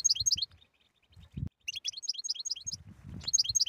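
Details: Goldfinch batbata song for prompting a silent bird to sing: two quick runs of high jingling chirps separated by a short pause, low thuds in the background.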